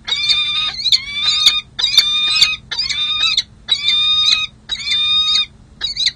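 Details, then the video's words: Mated peregrine falcons at a San Jose City Hall nest site, July 16 2024, after a full breeding season, pair-bonding: strident, harmonic, held wailing notes with ragged edges, about one per second, nearly continuous. "San Jose CH Falcons: Hartley & Monty Enjoy Long & Well-Deserved Bonding Time"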